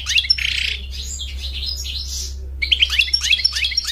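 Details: European goldfinch singing a fast, twittering song of high, tinkling notes and buzzy trills in dense bursts, with a short pause before another quick run of sharp chirps; steady low hum underneath.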